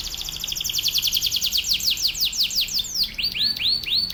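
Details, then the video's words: Atlantic canary in vigorous training song for other canaries: a rapid series of loud whistled sweeps, about five per second, ending in slower rising-falling arched notes. "KENARI GACOR//TEMBAKANNYA NGEBREN... MASTERAN BURUNG KENARI"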